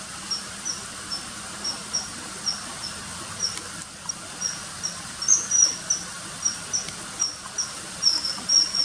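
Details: Common kingfisher, calls added to early-September riverside footage of a fish-catching bird: a long run of short shrill whistles at a fairly even pace, growing louder toward the end, over a hissy background.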